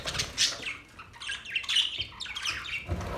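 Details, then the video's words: Brief bout of parrot chirping: sharp high chirps and scratchy warbled notes in quick irregular bursts, with a soft low thump at the end. "Parrot chirping sounds"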